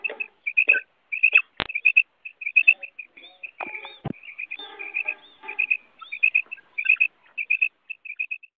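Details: Calls of a female common quail, used for hunting: a long steady stream of short high pips in pairs and triplets, interrupted by a few loud clicks and faint lower murmurs.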